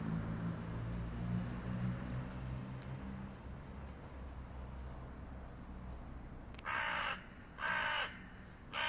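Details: After several seconds of only low rumble, three loud hoarse caws from hooded crows fighting a stray cat arrive near the end, about one per second.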